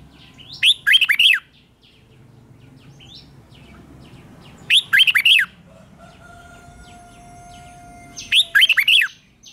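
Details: A red-whiskered bulbul's morning song during training: three loud warbled bursts of rapid looping notes, roughly every four seconds, separated by quiet stretches with faint whistles and chirps.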